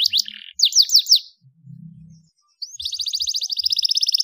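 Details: Starblue canary, panda type, sings a few sharp down-slurred notes, pauses briefly, then launches into a bright, rapidly pulsing trill that speeds up toward the end.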